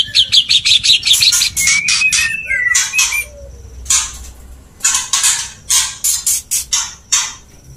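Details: White-rumped shama male courting a female: quick chattering stutter at the start, a few slurred whistles, then a run of loud, evenly spaced harsh bursts.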